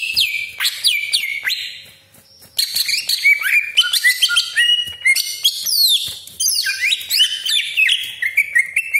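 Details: Greater green leafbird pouring out a long, harsh 'besetan' and 'crecetan' song meant to provoke rival leafbirds: dense rasping phrases, sweeping whistles and rapid chips, broken by one short silence before resuming in a loud continuous stream.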